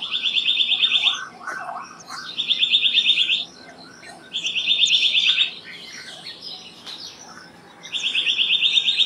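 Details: A black-naped monarch sings four bursts of quick, evenly repeated ringing notes, each burst about a second long and separated by short pauses, with softer bird chatter between phrases.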